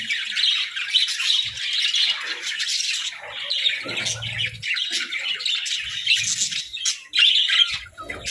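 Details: Budgerigars kept together in an indoor hut, playing: dense, continuous high chatter of many birds, twittering and warbling without pause, with scratchy squawks mixed in and faint low knocks in the background.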